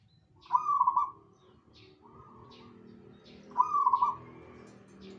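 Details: Zebra dove in lively song with other birds replying: loud bursts of rapid, stuttered cooing notes repeated about every three seconds, a softer answering phrase between them, over a faint low rumble.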